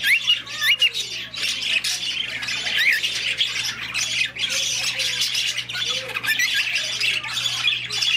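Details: Cockatiel in a petting zoo in Rotterdam giving short, bright rising whistles over a dense background of squawking, chattering birds.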